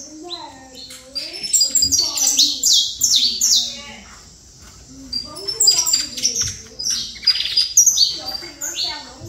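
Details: Saffron finch song of the Trator type, fast clusters of piercing high chirps in two main bursts, with lower voices and warbling sounds murmuring underneath.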